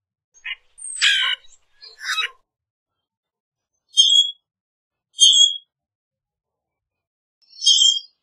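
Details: Common grackle: two broad rasping buzzes followed by three short, shrill metallic squeaks spaced about one and a half seconds apart.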